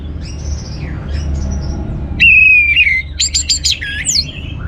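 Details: Orange-headed thrush lure song to rouse other birds: soft distant notes, then a loud, slightly falling whistle followed by a quick cluster of high, sharp chirps.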